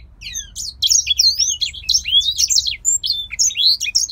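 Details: Captive grey singer finch, a male bred in Poland, singing a lively tumble of high, looping whistles and twitters in quick succession, bright and continuous.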